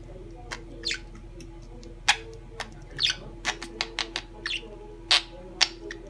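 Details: A chatty bird indoors giving sharp high chirps and squawks at irregular intervals, some notes descending, over a steady low hum.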